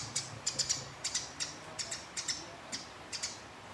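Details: Scattered harsh chirps from fighting house sparrows, singly and in twos and threes, irregularly spaced and fairly quiet, with a faint low hum beneath.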